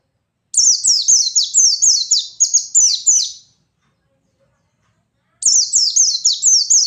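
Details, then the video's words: White-eye in gacor ngalas style, used to provoke rivals: rapid series of high, thin notes, each sliding downward, about four per second, a pause of two seconds, then the series starts again. "Suara burung pleci gacor paigter ngalas mancing lawan"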